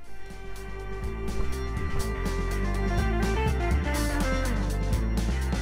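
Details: Steady guitar music with a strummed and plucked electric guitar over a deep bass line, with no animal voices.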